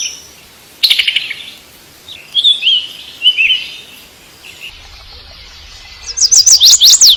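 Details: A male bird calling for a mate: a short burst of chirps, then thin wavering high notes, and a final run of rapid sharp high chirps near the end, with quiet gaps between.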